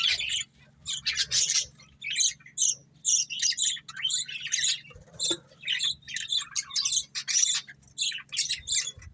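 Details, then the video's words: Pair of breeding budgerigars giving rapid chirps and harsh warbles in repeated short bursts of about half a second, fairly steady rhythm, soft low hum beneath. "Cute Budgies Chirping Sounds"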